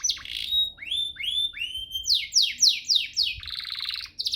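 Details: Canary master song meant to make canaries sing eagerly: rising and falling whistles, a run of upward slurs, then loud descending sweeps about three per second and a fast buzzy trill.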